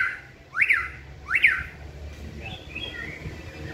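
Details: During training on a pole, a caged white-rumped shama sings two bright, sharply peaked notes, followed by softer, quieter whistles.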